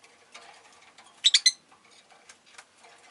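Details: A tight triplet of high, shrill chirps rises above low, steady background chatter from a group of pet Rosy-faced lovebirds, all calling quite a lot that day.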